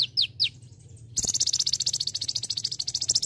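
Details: Olive-backed sunbird, kept as a training bird for teaching song to other birds, gives a few sharp downslurred high notes, a brief pause, then a fast, dense, buzzy high-pitched chattering trill of rapid repeated notes to the end.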